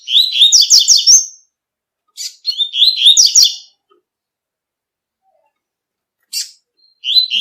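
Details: Double-collared seedeater (coleiro, tui-tui song style) singing in nature: short high phrases of rapid buzzy, warbled notes, each about a second long, repeated after pauses, with brief sharp call notes between.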